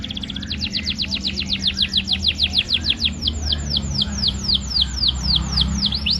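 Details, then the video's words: Young canary singing as training material: a long series of clear downward-sweeping whistled notes, about three per second, slowing toward the end, with low mechanical hum beneath. "KUMPULAN SUARA BURUNG KENARI GACOR (MASTERAN KENARI ANAKAN)"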